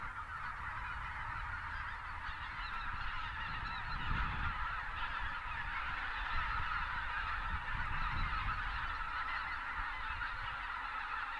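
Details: Greater white-fronted geese by the thousands, winter, South Texas near Uvalde, as pelicans lift off to join them; massed honking without pause, a deeper rumble swelling around the middle.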